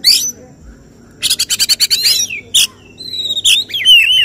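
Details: Competition Oriental magpie-robin delivering a 'tembakan' song judges look for: a sharp high note, then a fast run of about ten repeated clipped notes, followed by slurred whistles and a descending warble.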